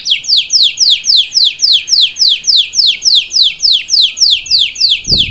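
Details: Salsa canary performing for its chick, a steady series of sharp downward-sweeping notes, about three per second, ending with a soft thump.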